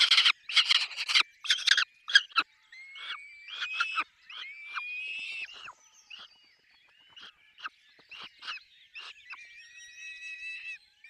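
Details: Peregrine falcon nest with chicks: loud rasping bursts at first, then thin rising whining notes mixed with shorter, quieter harsh calls.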